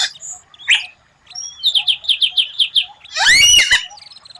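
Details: White-rumped shama tutor song with a rare 'tembakan' phrase, described as strange but captivating to rivals: scattered whistles and a rising slur, then a run of about eight quick repeated mid-high notes, ending in a harsh, loud burst.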